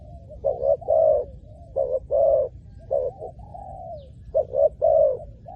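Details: Spotted dove, used to draw in wild doves, delivering rough cooing notes in twos and threes alternating with long, smooth falling coos, a brief lull near the end.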